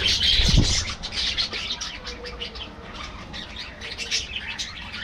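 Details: Budgerigars chatter in an aviary. A loud thump and a burst of wing flutter come at the start, followed by quick, scratchy chirps repeated several times a second.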